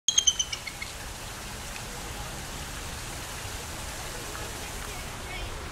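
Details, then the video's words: Bald eagle giving an unexpected, weird-sounding call: a quick run of thin, high piping notes tumbling downward in under a second, followed by a steady hiss like wind or rain. "I didnt know bald eagles make this noise!"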